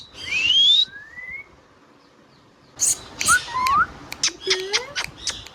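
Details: Indian ringneck parrot vocalizing: a high rising whistled note, then a softer upward slide, then a run of sharp squawky bursts and curved whistled inflections with brief gaps.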